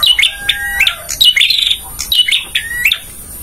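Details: Tutor song of a male bar-winged prinia for caged birds: quick chirping phrases with upslurred whistles and chattering ticks, given three times in rapid succession, with a faint lower whistle under the first phrase.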